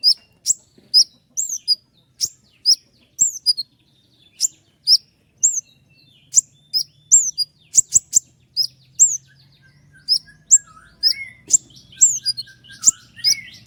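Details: Common iora giving a long roll of sharp shots: a steady series of high, piercing whistled notes with down-slurred tails, repeated several times per second. Softer, lower warbling notes slide in toward the end.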